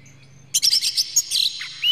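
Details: Brief burst of Oriental magpie-robin lure song, with the bird said to be emotional and spreading its tail: quick rough chirps that end in a rising whistle.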